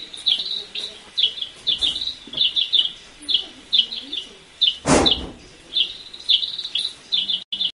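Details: Long-tailed silky-flycatcher calling at San Gerardo de Dota in Costa Rica: rapid thin chip notes in irregular bursts, many overlapping as if several birds, broken by one loud broadband knock midway.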